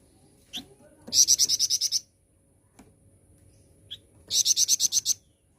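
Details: Flowerpecker (flamboyan) lure meant to draw other birds into song: two bursts of rapid, high, sharp ticking notes, each about eight notes long, separated by a quiet gap with a faint lone note.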